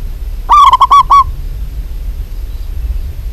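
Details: Zebra dove of a local type calling in full voice, a single rapid run of about six clipped, bright cooing notes over roughly a second, followed by quiet low rumble.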